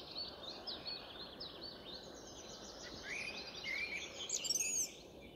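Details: Song thrush singing a variant of its song: a continuous, high run of thin twittering and scratchy notes, ending in a few louder whistled flourishes, against a broad background hiss.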